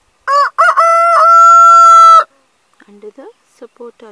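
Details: A rooster on a mud apple/sapota farm crows: two short clipped notes, then a long, loud, steady held note lasting about two seconds. Soft clucking follows.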